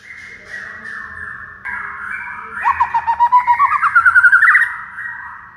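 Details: White-rumped shama masteran intended to trigger song in a quiet bird: soft whistles, then a fast rhythmic trill of about fifteen bubbling notes that climb slightly in pitch, ending in a level whistle.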